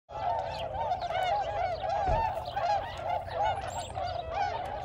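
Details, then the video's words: A spring gathering of about 1,522 Tundra Swans at Aylmer Wildlife Management Area, Ontario, forms a dense chorus of countless mellow, hooting whoops that overlap without pause in a steady, clamorous babble. "Thousands of Tundra Swans"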